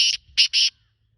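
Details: Black francolin calling: a brief burst of harsh, grating notes, one rasping note followed after a short gap by two longer scratchy notes, then silence.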